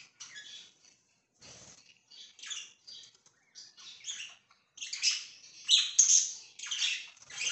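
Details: Pet budgies chattering, soft scratchy twitters at first that build into louder, rapid buzzy chirps toward the end, many short notes in quick succession.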